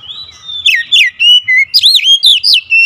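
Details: Oriental magpie-robin in agitated, fierce song (ngamuk ngotot): loud, high whistled notes sliding up and down, then a fast run of sharp, rising and falling phrases in quick bursts, with faint low rumble beneath.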